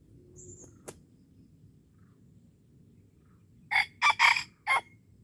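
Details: Wild red junglefowl lured in Darul Kamal, Aceh: after a quiet stretch with a faint high chirp and a click, a sharp four-note crow, harsh and hurried, with the last note separated.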